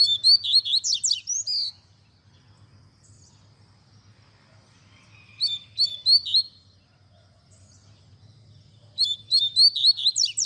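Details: Coleiro, or double-collared seedeater, in the tui tui zel zel style used to train young birds, with nature sounds: three bursts of fast, high, buzzy and whistled notes separated by several seconds of near silence and low hum.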